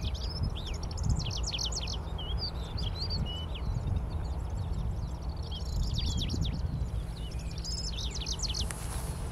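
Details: A Middendorff's grasshopper warbler sings on top of an Angelica ursina plant, June 2022: two bursts of rapid, scratchy high notes with whistled slurs between them, set against constant low rumbling background noise.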